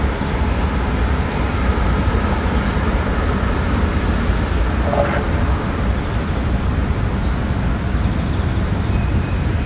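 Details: Loud, continuous road traffic and engine rumble fill an urban scene, with no animal voice.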